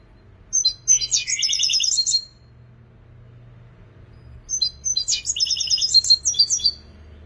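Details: European goldfinch praised as a creative singer pours out two dense phrases of fast, metallic, buzzy trills mixed with sharp high chirps, each close to two seconds long, separated by a quiet gap.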